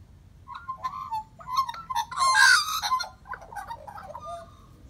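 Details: Australian magpie; call; greeting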